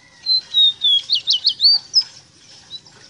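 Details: Ruddy-breasted seedeater, known as rosita, giving a tutor song for training captive birds: a run of about eight clear, high whistled notes, first slurred downward, then quick looping upslurs, ending in a short buzzy note over a quiet background.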